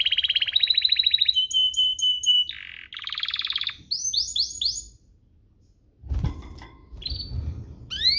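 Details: Canary song meant to get other canaries singing: fast trills, level repeated notes, buzzy rolls and rising swoops, a silent gap, then a burst of rustling noise and further upslurred notes.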